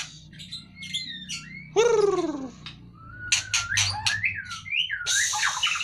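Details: White-rumped shama, kept caged and lifted out to lose fat, sings varied whistled phrases broken by a loud falling nasal call with rich overtones, then slurred whistles and scratchy bursts over a constant low room hum.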